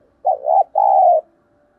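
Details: Spotted dove coo for luring other doves: one clear phrase, a short hoot rising into a second note, a brief gap, then a long, level, mellow coo.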